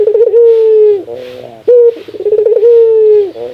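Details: Two laughing calls from a ringneck dove. Each starts with a quick chuckling flutter of notes and then settles into a drawn-out, steady coo that falls slightly as it ends. The background is quiet.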